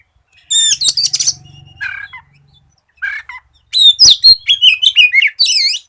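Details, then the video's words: Oriental magpie-robin song meant as a lure to make untrained birds start singing. Sharp chirps and a low buzzy rattle lead into a fast run of bright, varied whistles and trills. "SIULAN KACER GACOR"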